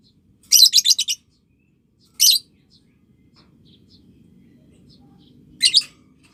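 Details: Used for training juvenile lovebirds to chatter ngekek-style, a lovebird opens with a fast stuttering run of about six harsh chirps, then gives two more shrill bursts, over a soft low hum.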